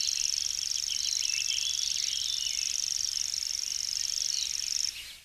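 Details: A common grasshopper warbler, an endangered breeding bird of open ground with dense herbage, reels a long, sustained, very high, even insect-like trill without pause, with fainter chirps from other birds beneath.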